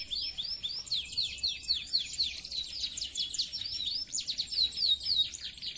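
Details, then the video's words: Canary singing a long unbroken run of quick high chirps and warbled trills, about four notes a second, clear-toned and aimed at stirring rival birds. "Suara Burung kenari Gacor , suara jernih bikin emosi lawan"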